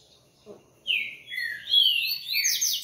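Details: Coleiro giving a loud, fast song of descending whistles that runs into a rapid, high, buzzy jumble of notes, with a faint click beforehand.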